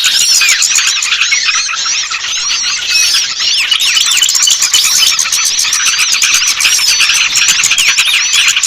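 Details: Crowded small-bird chorus used as a lure for birds slow to descend: nonstop high twitters and looping whistled notes layered thickly, with fast rhythmic ticks throughout and a brief thinning near the third second.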